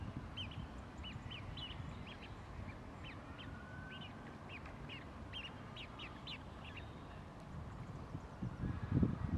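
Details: At East Park, Hull, a juvenile Great Crested Grebe begs with thin, high piping notes, about two per second, over a steady low rumble of wind or water.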